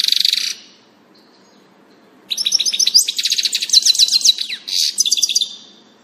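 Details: Singing European goldfinch, 16 June 2018: a brief high buzzy note, nearly two seconds of quiet, then a long run of rapid liquid twitters and tinkling chirps at high pitch.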